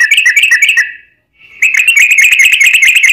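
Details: Yellow-vented bulbul in rolling 'ropel' song meant to provoke other bulbuls: a fast chattering run of bright notes, a short pause, then an even quicker sustained trill.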